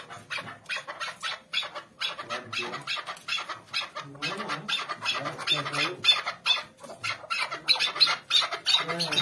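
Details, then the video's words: Mixed chukar partridge calls: dense, rapid chattering of harsh clucking notes, about three per second, overlapping and uneven, forming a continuous noisy chorus. "karışık keklik sesleri"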